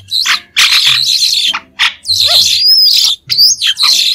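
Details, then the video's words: White-shouldered starling song without background noise: dense, harsh chattering bursts in separate phrases, broken by clear rising and falling whistled notes and a short descending squeaky slur. "Tiếng chim Sáo đá trung quốc không tạp âm | White-shouldered Starling | นกกิ้งโครงแกลบปีกขาว"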